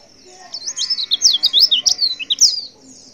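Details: A female white-eye in breeding condition, calling to males, gives a rapid, busy run of high, thin chirps and twittering notes, quickly rising and falling, for about two seconds.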